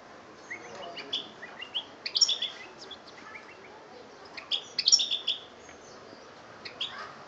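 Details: European goldfinch in Algeria, 2013, with two clusters of rapid, tinkling twitters and scattered chirps over a faint background hiss.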